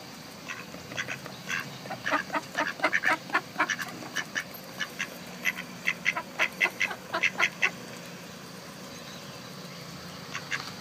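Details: A female Mallard eating crackers gives quick bursts of harsh, nasal quacks, a few per second for about seven seconds, while the male beside her stays quieter; steady background hiss.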